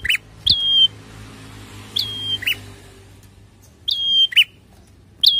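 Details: Prinia song played to make cage birds sing: sharp whistled notes that slide down to a steady high tone, each followed by a short buzzy note, given in bursts about every two seconds with quiet gaps and faint low hum.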